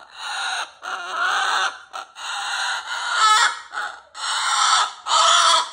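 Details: A cockatoo kept as a pet 'roaring': repeated grating squawks about a second long, each breaking off and starting again, loud and rasping throughout.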